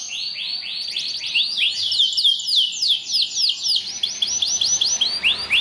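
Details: Belgian canary training song aimed at getting canaries to sing: a long, continuous string of high swooping whistled syllables repeated in quick succession, easing slightly in pace toward the end.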